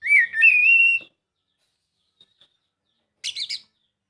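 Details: Oriental magpie-robin used to prompt a quiet bird to sing: one long wavering whistle lasting about a second, a long silence, then a brief scratchy triple chirp.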